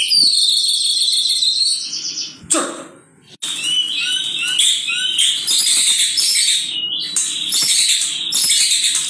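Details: Male white-rumped shama singing aggressively: rapid high trills and sharp chattering phrases, brief loud noise bursts and a short pause midway, then dense overlapping notes.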